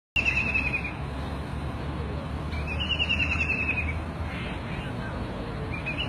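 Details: White-throated kingfisher (Halcyon smyrnensis), known locally as Cekakak Belukar, giving fast rattling trills at a fairly steady high pitch that sag slightly at the end, two long bursts and the start of a third, over a constant low hum.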